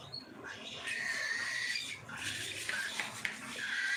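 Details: Cockatiels being fed make drawn-out, slightly whistled rasping calls. These are followed by shorter, scratchy notes and a few clicks.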